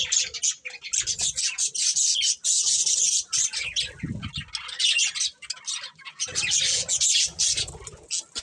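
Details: A flock of colourful budgies fills the air with a loud, continuous wash of high, hissy twittering; a short lull falls near six seconds, and a low thump is heard around four seconds.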